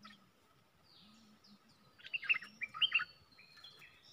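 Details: Red-whiskered bulbul, a caged decoy bird used for luring, gives a loud burst of warbled, chirping notes lasting about a second, with faint distant chirps and a low hum in the background.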